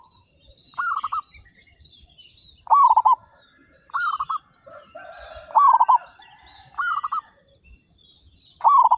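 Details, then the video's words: Thirty-five local zebra doves calling loudly. Six pulsed, stuttering coo phrases come at uneven intervals of about 1.5 seconds, some nearer and louder, with light chatter from other birds between. "PERKUTUT LOKAL GACOR SUARA BESAR"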